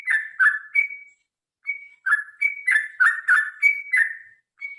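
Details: Yellow-vented Bulbul fighting song to prompt birds to sing: bursts of rich, bubbly whistled phrases with high flat notes, broken by a brief silence, then resuming rapidly.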